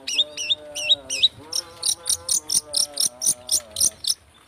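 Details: Long-tailed shrike singing in rapid speed rapet style as a singing lure: three looping rising-falling whistles, then an even train of about a dozen sharp high chips, backed by soft lower harmonic tones.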